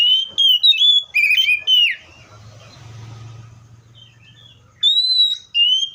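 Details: Seychelles magpie-robin giving clear whistled phrases with slurred notes, broken by a few seconds of low rumbling background noise, then long pure whistles resume at the end.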